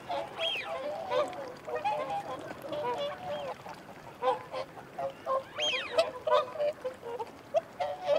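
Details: Feeding and territorial calls of whooper swans: scattered nasal honks at irregular intervals, with occasional higher bugling notes that rise then fall.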